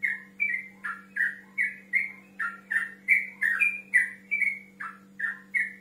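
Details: Yellow-vented bulbul male singing continuously to challenge a rival, a lure recording meant to draw replies; liquid, slurred whistled notes delivered in quick bubbly pairs almost three per second, with a faint constant hum beneath.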